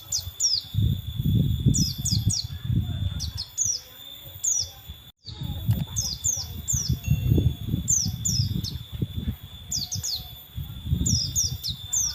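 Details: Male oriental white-eye singing vigorously: rapid bursts of thin, high, downward-sweeping chirps in clusters of two to four, repeated every second or so, over a heavy low rumbling background and a steady faint electronic whine.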